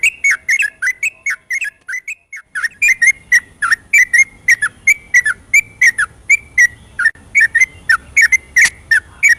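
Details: Rapid night-time ropel song of a yellow-vented bulbul, recorded as a lure for birds that sing little: a dense run of bright whistled notes, some rising and some dropping, coming several a second with a short quieter pause near the start.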